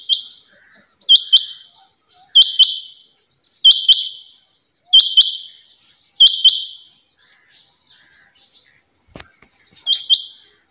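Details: Calls of a female rain quail: crisp paired high-pitched notes with brief raspy tails, given in a steady series about every 1.3 seconds; a faint click is heard near the end.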